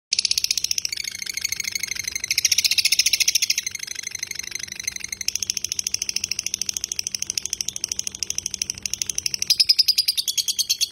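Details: Lovebird giving a long ngekek song, used as a tutor recording: a rapid, high, buzzy chattering of evenly repeated notes that runs without pause, shifting slightly in pitch partway through and again near the end.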